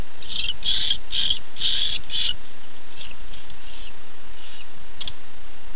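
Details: Male barn owl calling for his mate at 9:54 pm on 8 September 2015: a quick run of harsh, hissing screech bursts in the first two seconds, then only faint scattered rasps over a steady low background hum.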